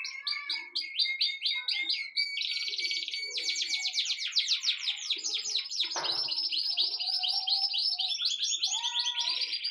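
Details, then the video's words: Birds chattering nonstop with high, rapid, buzzy chirps and trills. Fast repeated notes blend with longer buzzy phrases throughout, forming a busy, layered chorus. "Amazing Birds sounds"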